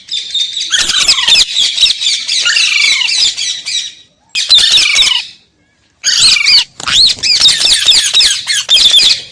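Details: Loud, harsh parrot squawking and screechy high chatter in long continuous runs, broken by two short silent gaps.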